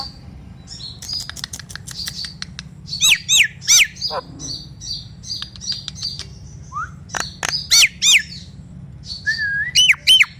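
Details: Nias hill myna song used to prompt silent mynas: soft clicks and chatter, then loud downslurred whistles in pairs, a brief low note, and a closing rising low whistle followed by steep falling notes.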